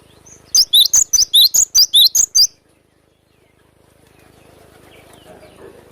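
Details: Wild cinereous tit singing a sharp, rapid besetan phrase: about nine piercing high whistled notes in quick, even succession, each with a short downward-then-upward twist, lasting about two seconds before quiet, with faint background hiss.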